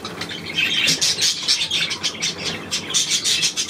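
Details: Budgerigars, 9 February 2024: a brief stretch of loud, scratchy twittering, rapid clicking chirps running together with sharp squeaks.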